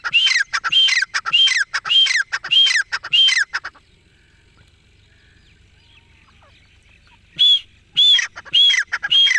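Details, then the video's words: Francolin, known locally as desi or dakni teetar, giving loud harsh ringing calls in rapid series, about two per second for four seconds, then silence and a second burst of four calls near the end; quiet background. "Dakni Teetar ki Awaaz | Dessi Teetar | Teetar Voice | Francolin Voice"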